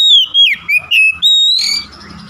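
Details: Brief Oriental magpie-robin phrase from a prompting song for other magpie-robins: several loud whistled notes dipping and rising in quick succession, ending in a longer bright upslurred whistle.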